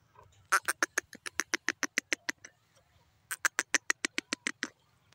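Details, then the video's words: Francolin pair calling: fast series of sharp clicking, rattling notes, about four per second, in two bursts separated by a short gap, over a faint low hum. "new jori teeter bird teetar voice"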